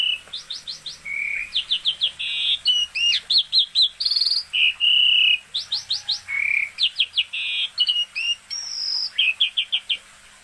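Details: Lively, nonstop Asian pied starling song: series of rapid upslurred chirps alternating with long level whistles, buzzy rattles and swooping notes, repeated in varied phrases over ten seconds.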